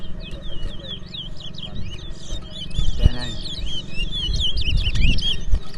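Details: In a Berbice song race between two twa-twa finches, a busy stream of sharp, high chirps and slurred whistles continues while people speak loudly nearby.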